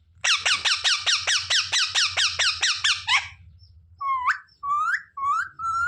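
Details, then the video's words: Talking parrot known for saying "mummy papa": a rapid series of about a dozen harsh repeated squeaks, then four separate drawn-out, rising and falling whistled notes, with a low hum in the background. "मम्मी-पापा बोलने वाला सुपरस्टार मिट्ठू"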